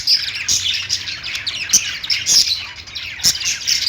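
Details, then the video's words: Lovebird (possibly budgie or parakeet) chirping and singing: a dense, continuous, busy run of high, scratchy chirps and squeaks with sharp clicks. "Lovebird Singing & Chirping sounds"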